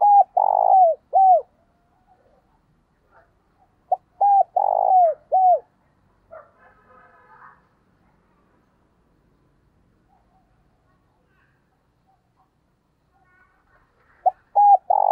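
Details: A spotted dove kept as a decoy bird gives soft, hooting coos in short bursts of two or three notes, separated by pauses. It calls to lure wild doves in.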